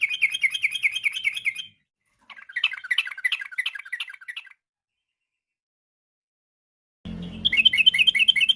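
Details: Yellow-vented bulbul singing in the afternoon, used as a lure to get other birds singing: bursts of fast, bubbly warbled notes repeated in quick rhythmic runs, with abrupt breaks between phrases.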